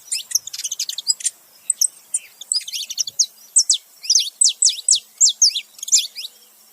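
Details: Saffron finch pair, male and female, calling: a fast twittering flurry opens, then loud, sharp, downslurred chirps repeated about twice a second.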